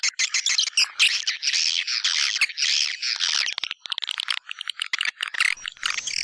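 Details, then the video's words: Lure call of the white-nest swiftlet for swiftlet houses, tested in East Kalimantan: busy stream of high chattering, buzzy chirps packed together, with brief gaps and scattered clicking notes. "Suara panggil kaltimtara"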